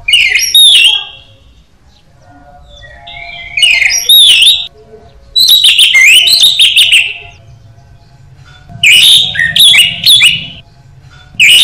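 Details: Caged orange-headed thrush song for training birds: dense bursts of rich whistles and harsh chirps in four phrases, with quiet gaps between and a faint low background hum.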